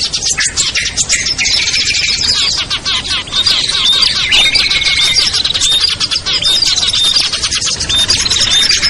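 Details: Lure chorus of small birds such as ciblek, kutilang, trucuk, sogon and perenjak, played to attract birds down: constant shrill chatter, with a lower drawn-out whistle in the middle and clear piping notes near the end.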